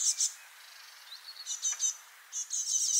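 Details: Freshly fledged great tit juvenile calling in spring at Parc Izadia, Anglet, France; short high rasping notes in quick clusters with thin faint twitters between, over quiet background.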